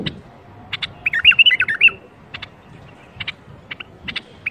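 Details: Bulbul singing a 'berwaz' song meant to get other, silent bulbuls singing: sharp clicky chips spaced through the clip, with one fluty warbled phrase in the middle, low murmur beneath.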